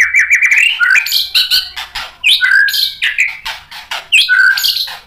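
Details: A white-rumped shama, stirred up by a rival and unloading its full repertoire, sings in short bursts of clear whistled phrases. Slurred notes drop and rise, with brief pauses between each burst.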